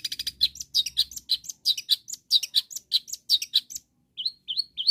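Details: Long-tailed shrike calling rivals with a rapid stream of scratchy chattering notes, followed by three separate rising whistled calls.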